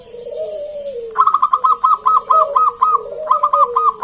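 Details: Local wild zebra dove in full song, used to prompt other doves to answer: drawn-out descending coos overlaid by a fast, even string of clipped staccato notes, about ten in quick succession.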